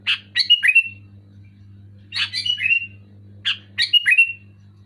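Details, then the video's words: Three rapid bubbly phrases from a Sooty-headed bulbul, each a cluster of quick notes dropping into a short descending whistle, spaced about a second and a half apart, low mains hum underneath. "Suara burung kutilang gacor keras jelas"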